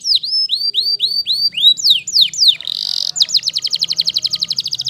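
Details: Singing Waterslager canary: repeated looping, dipping whistles, several falling sweeps, a short buzzy burst, then a rapid even trill of quick notes.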